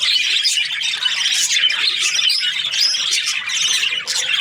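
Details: A happy budgie chirps in bright bursts of twittering, scratchy warbles and high squeaks, steady and busy from start to end.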